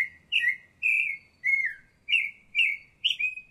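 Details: Baltimore oriole calling at La Garita, Alajuela, Costa Rica: six husky, slurred notes, each dropping in pitch, delivered about every half second, with faint low background noise.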